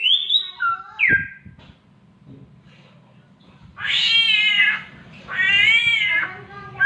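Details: A mimicking samyong bird, a myna, gives a few falling whistled notes, pauses, then utters two long nasal cat-like wails imitating a cat's mating call.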